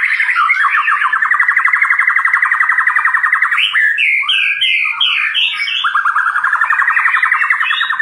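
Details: White-rumped shama singing loudly: a long, fast, buzzy trill held for about three seconds, then a burst of varied rising and falling whistled notes, and a return to the rapid trill.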